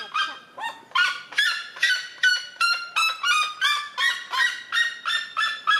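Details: Red-legged seriema calling in territorial defence: steady series of loud, honking yelps, about two and a half per second, several notes sliding upward at the start, forming a regular, far-carrying chant.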